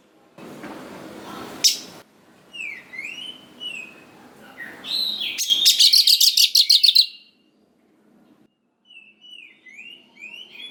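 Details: Oriental magpie-robin in full song, used as a lure to rouse young wild birds into answering. Noise-like bursts open the clip, then whistled upslurred notes, then a rapid buzzy rattle of repeated notes, then softer rising whistles.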